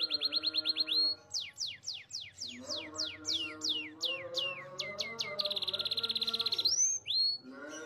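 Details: Green variety canary singing a varied rolling phrase: quick rising chips, then loud sweeping slurs dropping in pitch, a dense buzzy trill and a couple of upward whistles. Soft music plays beneath.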